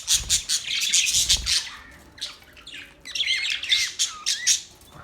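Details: Budgerigars chirping: dense overlapping warbles, squeaks and scratchy chatter, with short pauses between bursts and a few clear whistled slurs near the end.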